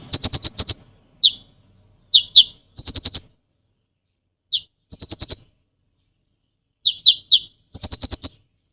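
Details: Konin in lively full song used to rile other birds, delivering rapid clicking rattles of about six notes between single sharp downslurred whistles, separated by clean silences.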